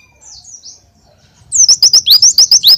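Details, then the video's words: Soft, thin high notes open before an Oriental white-eye launches into a tembakan glatik full burst, a rapid string of loud, sharp, high chirps fired off in quick regular succession. "Pleci tembakan Glatik Full"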